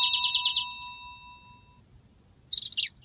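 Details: Yellow-fronted canary song from a long rolling master recording used for training birds: a fast high buzzy trill lasting under a second over a steady pure tone, then silence and a brief burst of sharp twittering notes.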